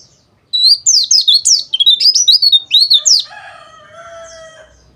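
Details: White-eye song used as therapy to make captive birds sing: a rapid, high-pitched twittering chatter of quick sliding notes for about three seconds, then softer, lower sustained tones fading out.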